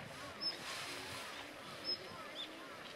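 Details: Daurian redstart calling on a clear, sunny 24 November day, chilly in the shade: three thin, high, sharp call notes spaced about a second apart, over a steady hiss of wind and outdoor noise.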